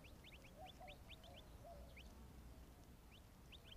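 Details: Eleven quail chicks chirping and drinking at a desert pond on an Arizona afternoon give quick, high, rising peeps in bursts of several, with a few lower soft notes, over a steady low background rumble.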